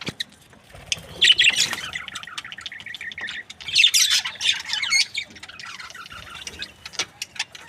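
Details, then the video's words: Cheerful budgerigar chirping: thin rapid clicks and warbled chatter, swelling into two louder scratchy bursts before fading to soft ticking notes. "Happy budgies chirping sound"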